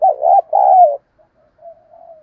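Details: Decoy spotted dove in an excited cooing bout: a loud, low double coo with a short first note and a longer falling second note, then faint trailing murmurs.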